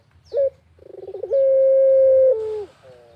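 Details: Pelung-type barbary dove singing vigorously in the countryside; a brief sharp note, a rapid stammering series of pulses, then one long even coo held about a second before dropping lower and fading.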